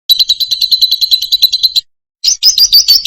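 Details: Lovebird in loud chattering song: a rapid run of harsh, buzzy chirps centred high, about three per second, a brief pause, then a shriller burst of squeaky notes.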